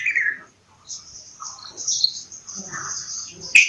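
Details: Bulbul giving a short, falling slurred note first, followed by a continuous high twitter from other birds and a sharp click at the end.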